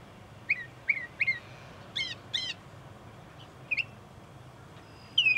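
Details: Single Northern Mockingbird in bushes beside a parking lot at Cape May Point, New Jersey, USA, singing varied phrases: sharp chirps repeated three times, then stacked buzzy notes twice, then slurred whistles, over a faint low background hum.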